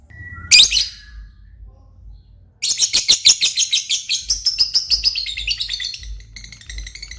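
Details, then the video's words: Lovebird giving a single sharp chirp, then after a pause a long, fast, rattling chatter of shrill notes lasting several seconds, over a low background hum. "burung Lovebird paling keren dan gacor"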